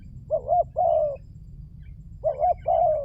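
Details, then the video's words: Spotted dove lure call: two mellow coo phrases, each a wavering double hoot running into a longer falling coo, separated by a pause of about a second and a half. "Pancingan burung tekukur berkhasiat"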